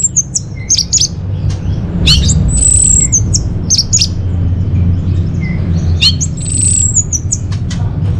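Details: Varied chirps and whistles from an Orange-headed thrush, used as a lure and master song for caged birds: quick high notes, a long thin high whistle, and scattered squeaky calls over a persistent low hum.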